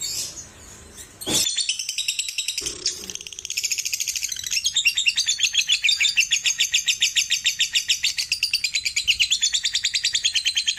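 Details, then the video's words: After a couple of sharp clicks, a lovebird launches into long ngekek chattering, used as therapy to prompt singing: rapid, evenly repeated shrill notes, roughly three per second, growing louder and continuing unbroken to the end. "Terapi Burung Lovebird biar Cepat Gacor"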